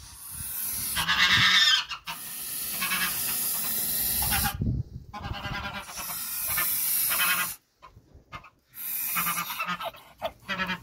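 A goose guarding its nest gives long, harsh hisses broken by raspy honks in several bursts, with short quiet gaps between them.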